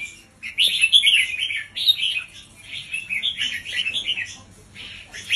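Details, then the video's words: Red-whiskered bulbul kept in a cage as a teacher bird for young birds, singing slow doubled phrases with distinct spacing: a loud warbled burst, then softer rolling notes and short pauses between phrases. "สุดยอดนกครูเบิ้ลเพลง 3 อาชีพ เบิ้ลช้าๆ เบิ้ลเว้นช่องไฟชัดเจน เปิดสอนลูกนก"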